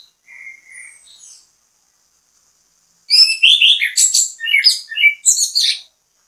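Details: Orange-headed thrush (anis kembang) in bait song to set others singing; soft low whistles open, a pause follows, then a rapid vigorous stream of high varied chirps and whistled notes lasting about three seconds.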